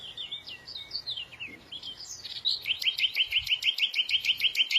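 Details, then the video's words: Small bird twittering with varied high chirps, then a fast, even series of sharp repeated notes, about three each second, standing clearly above a quiet background. "تغريد العصافير"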